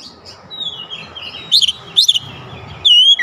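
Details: Short challenge song of an oriental magpie-robin facing a rival, a thin drawn-out whistle followed by three separate sharp, bright whistled notes.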